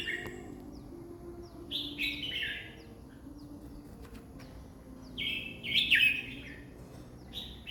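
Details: Red-whiskered bulbul song, delivered at 20 phrases per minute. Two fairly quiet, liquid warbled phrases with slurred up-and-down whistles stand out above faint background hiss, with softer chirps between them.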